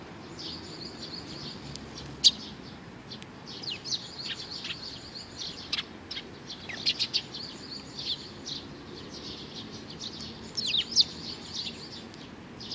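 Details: Sparrows gathering to take food, recorded 15 May 2019, keep up a continuous soft twittering chorus in waves, punctuated by occasional sharper, louder chirps.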